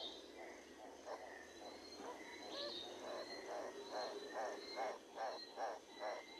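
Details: Livingstone's turaco giving a series of about a dozen hoarse, croaking notes, steady at roughly two per second and growing louder toward the end, with thin whistles from other birds in the background.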